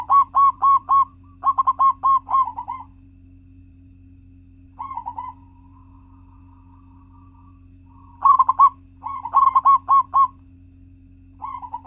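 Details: Local zebra dove song played as a lure so other doves start singing quickly: bursts of soft cooing notes, each phrase a quick run of four to six beats, repeated with pauses, a faint trailing coo between, and a steady low electrical hum.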